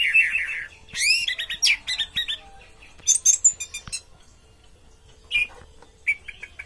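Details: An orange-headed thrush performing teler, its good-bodied frame at odds with hopes: a varied song of sweeping upward whistles, fast stuttered notes and high thin squeaks separated by short gaps.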